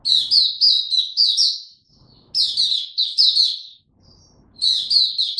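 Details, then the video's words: Caged Oriental white-eye in ramped-up form, 3 January 2022, singing three bursts of quick, bright chirping notes, each lasting about one and a half seconds, separated by brief near-silent gaps. "Mata Puteh Dagger ramp up form buka tiong aw sing"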